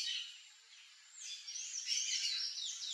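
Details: Yellow-chevroned parakeet among backyard fruit trees, giving shrill, high chattering calls that fade briefly, then return as a denser run of harsh, overlapping chirps.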